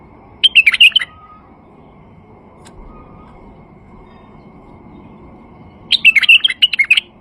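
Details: Lure song of a male White-eared Bulbul, meant to get silent bulbuls singing: a fast, bright, gurgling phrase, a long silence of nearly five seconds, then a second, slightly longer warbled phrase.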